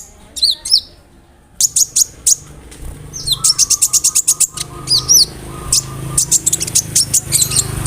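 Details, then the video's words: A konin singing a varied imitative song of cricket and other birds, meant for training murai, canaries and cucak ijo: sharp downward whistles, then fast trains of clipped high chirps and a trilled run, with faint low hum. "SUARA KONIN GACOR ISIAN JANGKRIK, BREM, KAMADE, RAMBATAN FULL MEWAH"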